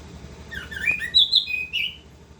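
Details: Orange-headed thrush singing continuously in the ngerol style: a short burst of whistled, slurred notes, rising and falling, with a few sharper high chirps near the end. A low steady hum runs underneath.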